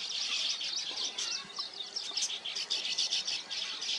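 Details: Weaver birds around their nests produce a loud, continuous high chattering, pulsing bursts of harsh twitters and chirps from many birds together.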